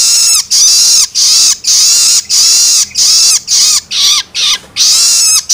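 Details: Long-tailed shrike chick's begging cries, used to excite adult shrikes: drawn-out grating, hissing screams repeated in a regular series, a few shorter and broken near the end.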